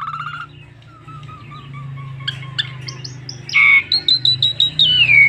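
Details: Asian pied starling song, used to draw other starlings into singing: begins with faint, thin drawn-out notes over a low background hum, then loud clipped chirps repeated in quick series and a long downward-sliding whistle.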